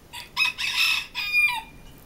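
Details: Young barred Serama rooster, decrowed after crow reduction surgery and very quiet; a breathy, hoarse, airy crow in three raspy bursts over about two seconds, lacking a clear tone, with a faint ringing note at its end.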